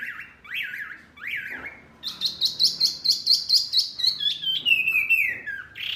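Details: Tutor birdsong for caged songbirds such as shama and magpie-robin; a few rising-falling whistles, then a rapid rhythmic chatter of sharp notes several per second, ending in descending warbled phrases.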